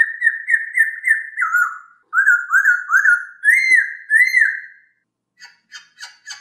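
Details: A masked laughingthrush sings a long fluent series of loud rolling whistled notes, about three per second, for training other birds, ending with a few short harsh chirps.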